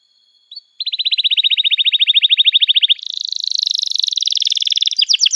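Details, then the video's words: A canary sings a training lure for young canaries. One short note leads into a long, even trill of rapid chips, then a faster, higher, buzzier rolling trill. A thin steady tone runs underneath. "Kenari Gacor Panjang Cuit Cuit Emosi, Pancingan Kenari Paud Belajar Bunyi"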